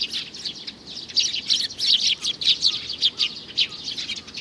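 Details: A young sparrow in June 2019 gives bright, rasping chirps repeated almost twice a second in a fairly regular run, with a few faint thin whistles underneath.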